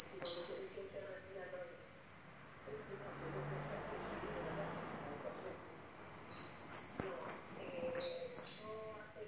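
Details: Yellow goldfinch ending one high twittering phrase, then after a quiet gap with a low hum launching into a long, loud, rapid string of shrill buzzy notes.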